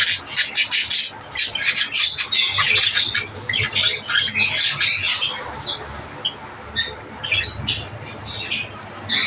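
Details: Java sparrows in busy, overlapping high chatter for the first few seconds, then thinning to scattered single sharp chirps, with a faint low hum underneath.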